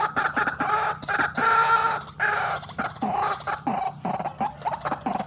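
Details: White-breasted waterhen calling fiercely, used as a lure for bird trapping: rasping, nasal croaks, some long and some short, repeated in an uneven stream.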